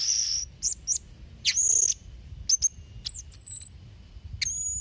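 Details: Blue-crowned hanging parrot in full voice, recorded as a tutor for young or moulting birds: thin, shrill high chirps and short sharp squeaks in scattered bursts, some notes drawn out as a thin whistle, over a faint low rumble.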